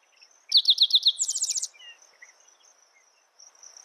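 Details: One spotted towhee song: five or six quick, evenly spaced notes followed by a brisk, higher, buzzing trill. A continuous thin insect hum runs underneath, with a few faint bird chirps afterwards.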